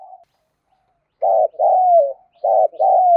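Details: Spotted dove's 'thúc gù' calling coo, used to make newly caught birds start cooing quickly: two loud pairs, each a blunt burry note followed by a drawn-out, downward-curving coo.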